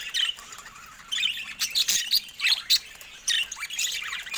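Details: Caged budgerigars pecking at a camera, giving short bright chirps and warbled notes in scattered bursts with sharp clicks between.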